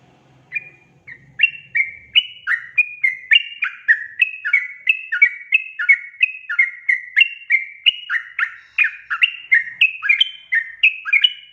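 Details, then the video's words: Sooty-headed bulbul lure song: after a faint low hum and a couple of seconds of near quiet, an energetic stream of about thirty bubbly slurred notes, roughly three per second, varying up and down in pitch. "panggilan suara trucukan gacor efektif untuk pancingan burung trucuk bahan agar bunyi"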